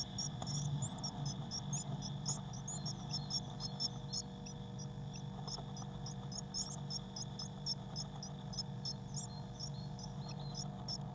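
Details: Six blue tit chicks in a crowded nest box, recorded 22 May 2019. High, thin peeping notes follow one another quickly and continuously, with a low background hum.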